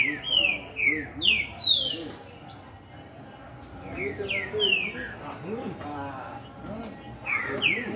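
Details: Green-winged saltator singing strongly: loud, clear whistled notes sliding downward, delivered in quick runs of three or four, then repeated after a pause, with softer chatter and other low sounds beneath.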